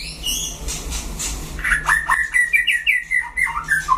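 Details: After a soft, quiet start, a white-rumped shama in a singing duel breaks into a lively sequence of clear whistled notes and quick chirped repeats at mid pitch, with a steady background hum.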